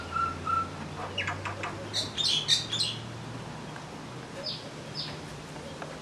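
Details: Common myna calling at Vryheid, KwaZulu-Natal, South Africa, on 12 December 2007: two short level whistles, then a burst of clicking, harsh high notes, followed later by two quick descending slurred notes over a faint low hum.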